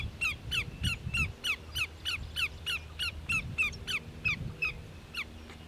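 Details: At Grand Forks, North Dakota, on 13 July 2009, a greater yellowlegs gives a long run of piercing, downward-sliding notes, roughly three each second, tapering off at the end, with some low background noise.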